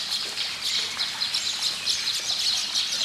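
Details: Flock of baya weavers chirping nonstop, many high, sharp tweets overlapping in a busy, tinkling chatter with no pauses.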